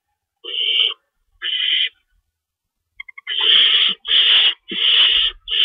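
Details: Owl nest feeding at 3:53 AM, March 25, 2012, with two rabbits in the nest and prey being shredded; two separate raspy screeches, brief clicks, then four louder screeches run almost together.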